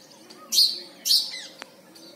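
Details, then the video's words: A house sparrow in India gives two loud, harsh chirps about half a second apart, each bright and buzzy, followed by a faint click. "Indian Sparrow singing"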